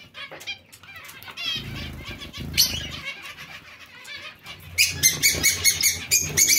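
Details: Zebra finch colony kept together with Bengalese finches: scattered chattering notes, then from midway a dense run of loud, nasal, harmonic beeping calls repeated rapidly, with low thumps and wing flutters earlier.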